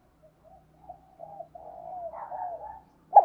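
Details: Spotted dove used as a decoy to provoke and train newly caught birds: soft, low hooting coos, faint at first, then a longer wavering coo phrase swelling in loudness before a short sharp sound at the end.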